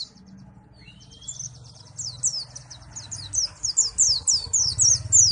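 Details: Pleci (white-eye) from Malang singing: after a faint opening, a fast run of high, sharp, downslurred chirps grows steadily louder, about three or four notes a second, over a low steady hum.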